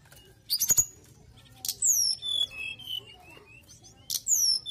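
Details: Mountain tailorbird singing vigorously: thin high whistles sliding down from very high pitch, a clear descending slurred note series in the middle, with sharp rattling noise bursts at the start and near the end.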